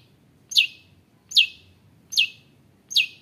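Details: Long-tailed shrike used to provoke other shrikes into song: four sharp downslurred high notes, evenly repeated about every 0.8 seconds, quiet in between.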